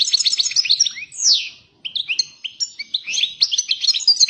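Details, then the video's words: European goldfinch song of fast tinkling notes and a drawn, descending nasal slur, a brief silence, then more bright chattering twitters. "Καρδερίνα πυρωμένη!! ( Carduelis Carduelis )"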